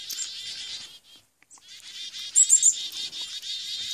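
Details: Chickadee attacking, recorded on an Android phone: a steady stream of rapid, harsh, buzzy notes, broken by a short silence, with a few thin high squeaks rising above the chatter near the middle.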